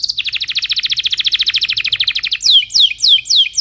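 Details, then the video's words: Belgian canary singing in the morning, used as a lure to teach young canaries: a fast, even trill of high chirps for over two seconds, then a few sweeping downward whistled notes. "Kenari gacor Cuit cuit NGEROL di pagi hari, Ampuh untuk Pancingan kenari paud belajar Bunyi"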